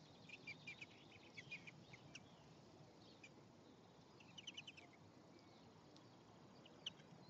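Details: Male and female European greenfinch at the nest, 1 May 2015, with an egg hatching: bursts of quick high chirps in two clusters, near the start and past the middle, then one sharp isolated note, over soft constant hiss.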